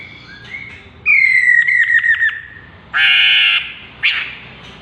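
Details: A chestnut-capped laughingthrush gives a sliding whistle that drops in pitch, with stuttered pulses at the end. It is followed by a harsh, buzzy squawk and a short sharp note.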